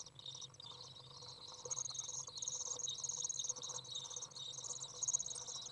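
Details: Common Swifts, young out of the nest with a parent coming in to feed, 27 June 2011 on a 30 °C day; high buzzy chatter that swells after the first second and stays dense, with a faint low hum.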